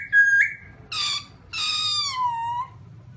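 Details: Black-throated laughingthrush giving a clear level whistle, then two harsh, nasal, drawn-out notes, the last slowly falling in pitch.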